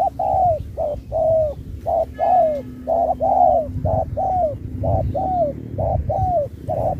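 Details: Spotted dove at a singing contest, Thúc kèm Bo style with changing phrasing. A fast run of coos about a second apart mixes short clipped notes and longer falling coos. A faint harsh burst occurs early, over a low hum.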